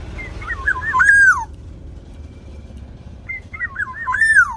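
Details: Local Javanese black-naped oriole in full song, used as a lure to make captive birds sing: two fluty phrases, each a wobbling whistle that climbs and ends in a bright falling slur, about three seconds apart.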